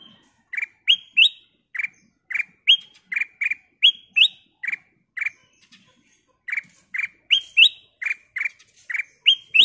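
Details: Kutilang emas, a golden bulbul, singing a long lively series meant to stir other birds into song. Crisp chirps repeated several times a second, lower notes interleaved with higher rising whistles, with one brief pause.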